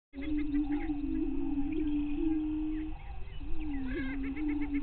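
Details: Greater prairie chickens at a lek on Bluestem Prairie Scientific and Natural Area near Glyndon, northwestern Minnesota, 5:30 AM, May 9, 2023. A long, low, hollow moaning tone is held for seconds, overlapped by scattered higher cackles and short whoops.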